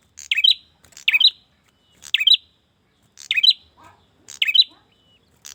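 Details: Male bar-winged prinia calling a female, used as a lure recording: bright, clipped chirp pairs repeated about once a second, six times, each a quick high stutter, with no other sounds.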